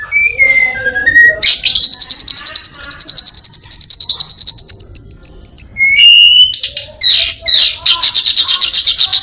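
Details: Mimicking orange-headed thrush, caged, delivering a long buzzy high trill held for several seconds between slurred whistles, part of a song imitating prinias, a cat and other birds.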